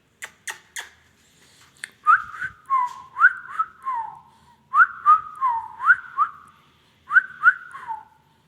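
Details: Three sharp taps, then an Indian ringneck parrot whistles a lively melody of upward-sweeping slurred notes in three phrases, each phrase of several notes, with short pauses between them.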